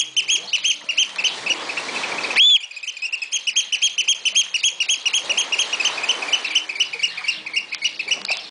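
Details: Walsrode, Germany: an oystercatcher keeps up a fast stream of high, clipped piping notes, with one brief louder squeal early on, then runs on in an excited, rhythmic chatter.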